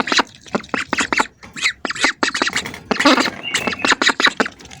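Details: Several hungry ducks heard up close, giving a rapid run of harsh, broadband quacks in quick bursts with brief pauses, and a few thin tonal squeaks mixed in.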